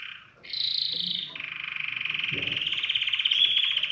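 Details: Canary song meant to stimulate other birds to sing: a low rolling trill gives way to a bright high trill, then a long, fast, even roll held at middle pitch that grows louder toward the end.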